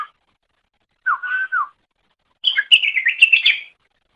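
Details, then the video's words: Greater green leafbird, its song used for training other birds: a soft wavering whistle, then after a pause a rapid, chattering warble of mixed high notes. "Masteran Suara Cucak Ijo"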